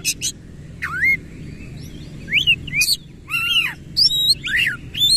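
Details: Oriental magpie-robin, called kacer, in vigorous 'gacor' singing with its tail open and 'isian kasar' coarse fills. Deep swooping whistles mix with crackling buzzy phrases and sharp high chips, separated by brief pauses.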